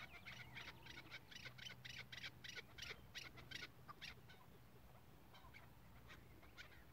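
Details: Chukar partridge of the hıngırmacı type, kept for tethered decoy hunting: a rapid series of harsh, broadband chuk notes, about three per second, fading out after four seconds over a steady low hum.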